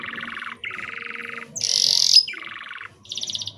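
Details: Short canary song meant to stimulate juvenile canaries: a string of trilled phrases switching pitch, a low rattling trill, a higher one, a loud shrill buzzy burst, then more rolling trills.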